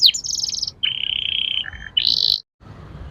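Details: Atlantic canary singing a lure song meant to get young birds singing: a sequence of sustained high rolling trills at shifting pitches, each roughly half a second to a second long, with a brief pause before a quieter ending.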